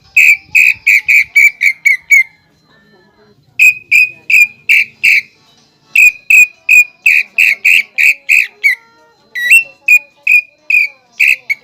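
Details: Greater green leafbird, filled with flameback woodpecker (pelatuk bawang) imitations sought by judges, pours out runs of loud, even whistled notes, nearly three a second, in three bursts separated by short pauses, ending in sharper chips.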